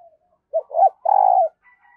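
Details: Decoy spotted dove cooing to call in new wild birds: a single loud phrase of two short rising notes followed by a long, level, buzzy coo, with faint soft notes before and after.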